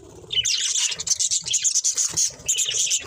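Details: Nonstop budgerigar chatter: rapid high squeaks, twitters and scratchy warbled notes run together with hardly a break.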